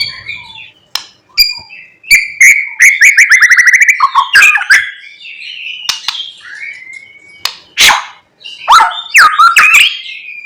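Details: Morning song of a white-rumped shama, played to provoke other shamas into singing, full of imitated phrases: loud, varied whistles, sharp clicks, rapid rattling trills and sweeping slurred notes in quick succession.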